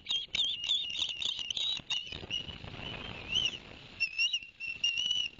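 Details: Ospreys at a Barnegat Light nest in New Jersey, September 2021, after the male brought two fish for the young; quick whistled chirps at first, then softer slurred whistles over a rushing, splashy background.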